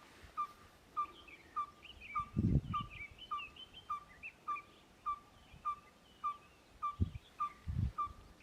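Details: Yellow-fronted Tinkerbird song, said to be a little slower than the red-fronted tinkerbird's: regular short, pure piping notes, close to two per second, with twittering birds above and a few low thumps.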